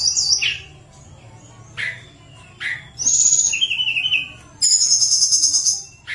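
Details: Tledekan gunung with lively, flute-like song, played to coax lazy birds into singing. Brief high calls are followed by a bright trill, a lower warbled run and a long shimmering high trill.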